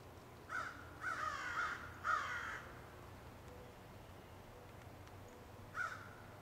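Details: Crow calling in woods: a few harsh, hoarse caws, some doubled, bunched in the first two seconds, then a pause and a single caw near the end over quiet background.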